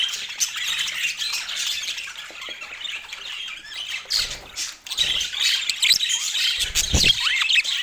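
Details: Budgerigars chatter and squawk busily in overlapping bursts, with a few rising chirps and some low thuds in the background.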